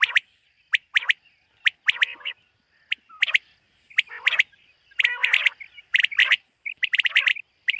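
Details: Morning call of the common quail (batair) from a summer meadow, with clipped, liquid three-note phrases repeated roughly once a second, closely packed and overlapping with softer twittering between them.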